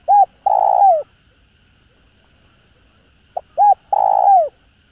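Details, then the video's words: Spotted dove giving a call meant to stimulate other doves: two cooing phrases about three seconds apart, each of two short soft notes followed by a long, steady, low coo that slurs downward at the end, over a quiet background. "Tiếng Cu Gáy GỌI +THÚC Kích Bổi Nhanh Nổi. Cu Gáy.Cu Đất Gáy hay"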